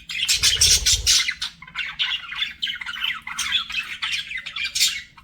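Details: Pet budgerigars flirting, a continuous stream of busy chattering warbles, squeaks and scratchy chirps overlapping without pause, a brief low thump near the start.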